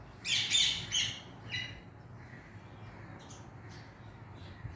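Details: Green Indian ringneck (rose-ringed parakeet), pet, chirping: a quick burst of harsh, high squawky chirps, then a few fainter notes over low background hum.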